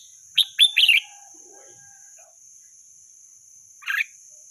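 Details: Wild red-whiskered bulbul giving a quick burst of three or four bright chirping notes, then a pause and one more short rough chirp, over a steady high-pitched whine.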